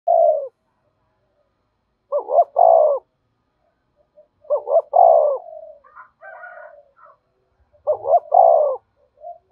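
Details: Spotted dove giving its lure coo to draw wild doves in quickly to the perch: three phrases of two short clipped notes and a longer, lower drawn-out coo, about every three seconds, with softer distant cooing between.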